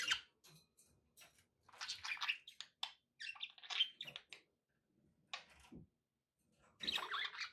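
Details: Pet budgerigars chattering in bursts of scratchy warbled notes and squeaks, pausing briefly before a final flurry, with soft background noise.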